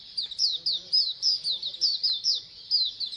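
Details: A colony of Oriental white-eyes singing a rapid, high twittering of thin, down-slurred notes, about four each second, like a small flock chattering together.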